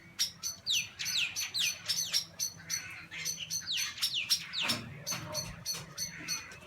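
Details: Several small black birds chatter excitedly while swooping on a kookaburra in a tree, likely defending a nearby nest: quick, sharp, descending squeaky notes tumbling over each other about twice a second, over a low hum.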